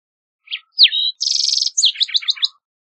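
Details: Song of a green-tailed towhee: a brief note, a bright downslurred whistle, a harsh buzzy trill, then a tumbling run of quick chirping notes.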